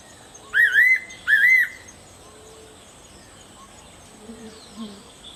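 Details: A Fairy pitta gives a double whistled call: two wavering, fluty notes in quick succession, each a little under half a second long. Soft, low chirps follow later over a quiet background.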